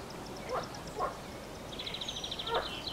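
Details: Wild mallard with ducklings bathing and preening on the Nezhegol River in Belgorod region, Russia; three brief rough calls sound at irregular intervals under a steady high, rapid trill of songbirds nearby.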